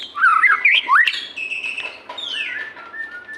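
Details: A short burst of twisting, rapid whistled notes from a white-rumped shama, followed by long steady whistles and a falling slur. It is played to make captive shamas that seldom sing start singing.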